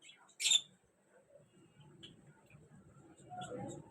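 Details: A baby budgerigar (Melopsittacus undulatus) chick gives one sharp, raspy squawk, followed by a soft low murmur.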